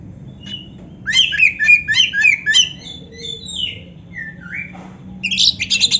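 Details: Oriental magpie-robin in complete song with canary fill. Rapid, scratchy chattering notes give way to a sliding, rising-and-falling whistle, and the phrase ends in a fresh burst of high, sharp twitters.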